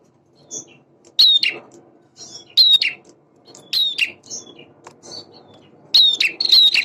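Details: Male bar-winged prinia repeating short sharp high whistled phrases with a buzzy tail about every one and a half seconds, over a faint low background hum.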